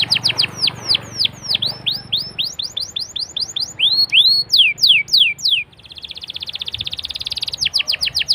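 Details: Canary song used to prompt other canaries: rapid falling sweeps, slower curved whistled slurs, then a buzzy rolled trill and a few more sweeps.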